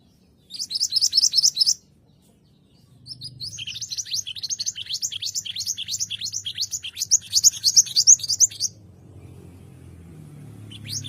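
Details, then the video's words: White-rumped shama (murai batu) song used as a training recording: bursts of rapid, high, sweeping whistled notes repeated about three per second, a first phrase near the start, then a longer rising-falling sequence, over low background hum. "masteran burung murai batu"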